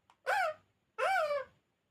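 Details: A talking parrot indoors giving two loud, drawn-out nasal squawks, each rising then falling, about half a second long and separated by a brief pause.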